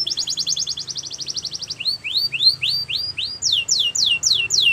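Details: Belgian canary song with a quick steady trill followed by slower rising whistled notes, then a run of down-slurred high syllables.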